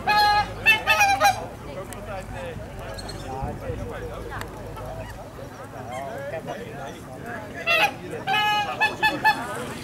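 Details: A pair of Orinoco geese in a private collection in Holland, recorded during a bird-club excursion: loud harsh honking bursts with rich stacked overtones at the start and again near the end, over steady crowd chatter.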